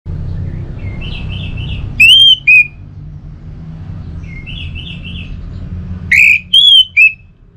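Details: Orange-headed thrush song used as a lure to prompt a home-kept thrush to sing: soft warbled phrases, then loud, clear whistled notes with a falling end, repeated twice about four seconds apart, over low background hum.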